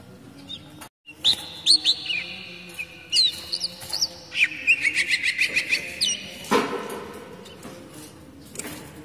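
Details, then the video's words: Oriental magpie-robin song, the kacer daput basic type, meant to lure young wild birds and to encourage moulting birds to sing. Bright whistled phrases are followed by a fast string of repeated chipping notes, then a soft thud and quiet. "SUARA DASAR KACER UNTUK MEMANCING KACER BAKALAN TROTOL MUDA HUTAN DAN TERAPI MABUNG JADI LEKAS BUNYI"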